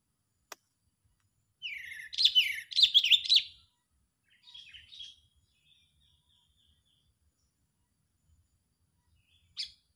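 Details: Angry, excited sooty-headed bulbul calling, recorded as a trapping lure: a loud, harsh chattering burst of rapid chirps, then a short quieter twitter, a thin drawn-out note and a final sharp chip.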